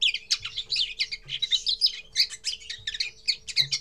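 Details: First song of a common linnet: continuous jumbled twittering of quick chirps, buzzy notes and short trills, lively and unbroken for several seconds, with a faint low background hum.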